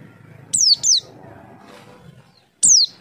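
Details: White-eye lure call meant to prompt birds to answer: two sharp high whistles sliding steeply downward, a pause of over a second, then a third matching downslurred whistle, with low hum behind.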